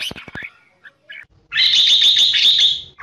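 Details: Red-whiskered bulbul singing a 'ché' and 'xòe' style competitive song used as a decoy for trapping. A few sharp clicks and short notes come first, then a dense, fast, bright warbling phrase runs steadily for about one and a half seconds.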